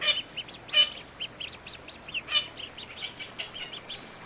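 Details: Little ducks giving a rapid run of thin, high peeps, several voices overlapping, with a few louder sharp chirps standing out near the start and middle.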